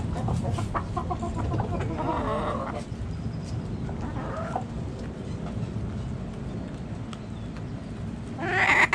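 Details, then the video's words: Hens in a backyard flock give a few short clucks and a drawn-out, wavering cackle in the first seconds. Quieter clucks follow over a steady low rumble, then a loud, harsh burst comes at the very end. "Backyard Chickens Relaxing Sounds Noises Video Hens Clucking Roosters Crowing!"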